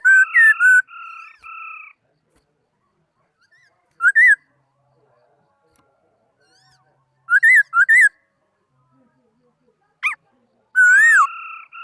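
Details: Laughingthrush in song, 2018: scattered bursts of loud, ringing whistles, some rising then falling, one flat two-toned note, separated by long silent gaps over about twelve seconds.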